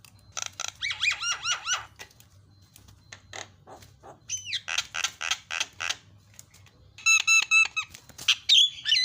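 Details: Javan myna song to make mynas chatter: bursts of wavering whistled notes mixed with harsh rapid chatter, pauses between phrases, a loud strident run of ringing notes closing the sequence.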